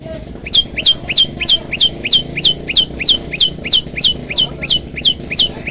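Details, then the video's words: Prinia, known locally as prenjak lumut, sings a varied song used to train caged birds. It is a fast, regular string of sharp high chirps, about three per second, over a low murmur of background noise. "prenjak lumut gacor variasi"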